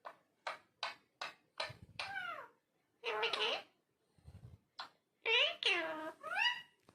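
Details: Talking parrot giving a quick string of short clipped syllables, followed by a few longer wavering, meow-like phrases that rise and fall, with brief quiet gaps between them.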